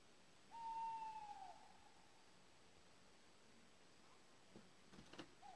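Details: Male tawny owl (Strix aluco) giving its territorial call: a single drawn-out hoot, about a second long, pure and slightly falling, followed by a few faint softer notes in a quiet night background.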